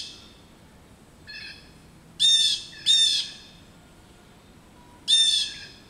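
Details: Local blue jays mobbing an adult male osprey roosting in a back yard: three loud harsh jeers with a rich stack of harmonics, two close together then one after a pause, preceded by a fainter call; quiet background.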